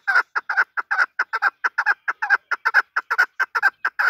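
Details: Loud, close chukar partridge calls: hurried, evenly spaced harsh clucks, many doubled, running without a break; a desi chakor kept for hunting.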